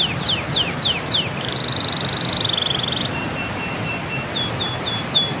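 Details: Bird song for training birds during and after moult. Quick descending whistled slurs lead into a sustained flat buzzy trill, a soft thin piping line, then short upward whistles, all over constant hissing background noise.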